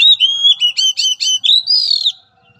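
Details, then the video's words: Oriental magpie-robin in a therapy song lesson for a mentally weak bird: a rapid series of loud, pure whistles in rhythmic pulses, closing with a long, higher, slightly falling whistle before silence. "Latihan Suara Terapi Kacer Lemah Mental"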